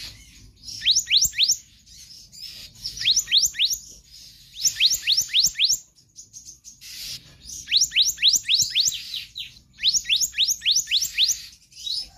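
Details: Gacor kehicap ranting magpie-robin repeating konslet phrases for a tutor recording: five bursts of about five rapid rising whistles each, with short pauses between them over low hiss.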